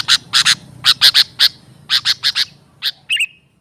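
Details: Lure sound of a sooty-headed bulbul, used for trapping and training birds: clusters of two or three harsh chirps, spaced unevenly, closing with a quick whistled downward note.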